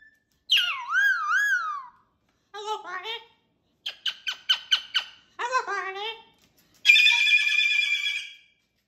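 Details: Talkative pet cockatoo with wavering calls, choppy speech-like chatter in quick bursts, and a final loud, harsh drawn-out squawk.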